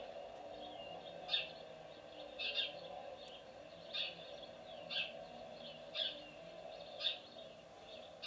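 A sparrow gives short, sharp chirps about once a second, each a bright two-note cheep, over a steady low hum in the background.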